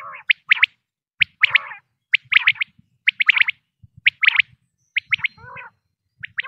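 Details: Pakistani quail-hunting recording of male and female common quail: repeated three-note high whistled phrases, a few trailing into softer wavering notes, arriving roughly every second.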